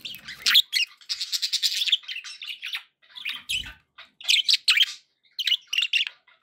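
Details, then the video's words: Lively warbling chatter of happy budgerigars, fast buzzy and chirpy notes in run-on phrases, a brief soft thump midway, indoors. "happy budgie sounds"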